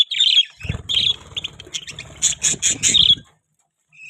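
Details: Pet budgerigars chirping: bursts of bright, scratchy warbled chirps tumbling quickly over one another for about three seconds, then a brief pause before a last chirp.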